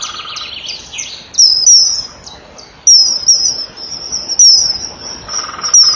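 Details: Common kingfisher pair at a nesting bank, 21 April 2012, 18:06: female perches, male leaves, female enters the tunnel, male flies past calling with shrill, high, thin whistles in short bursts over a steady hiss.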